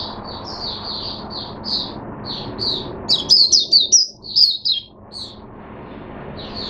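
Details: Oriental white-eye, a kept songbird, in 'buka sing' open song recorded 5 May 2022: soft high chips, then a louder burst of rapid, sharp, high-pitched twittering notes before easing back to soft chirps.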